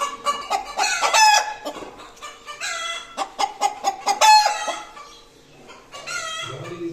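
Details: Post-laying noise from a hen: dense bursts of harsh squawks mixed with rapid clucks, several loud strained calls in succession, then a pause and more squawking, steady hum behind.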